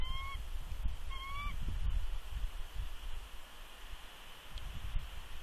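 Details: Female bald eagle at a Big Bear nest, 2 March 2020, giving warning vocals as an unidentified adult eagle intrudes while she incubates eggs; two short, thin, slightly rising chirps about a second apart over steady wind rumble.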